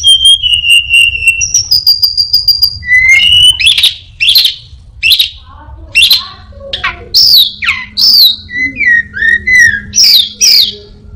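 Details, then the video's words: Orange-headed thrush in a cage, mimicking other birds and a cat: steady whistles and a buzzy trill at the start, then loud, sharply swept chirps in quick irregular series. "burung Anis binbin gacor isian perenjak,kucing,cirtu,dan burung lainya"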